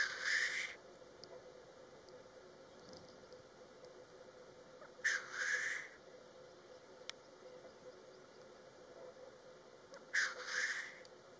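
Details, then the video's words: Black grouse during their display parade give three harsh, hissing sneezes, each under a second long and about five seconds apart, over a faint steady hum. "Parade du Tétras lyre"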